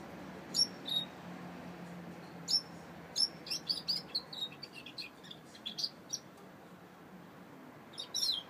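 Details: Saffron finch singing: a run of short, high, bright chirps, some quick and clustered and others spaced apart, with brief pauses between phrases over a quiet background hiss.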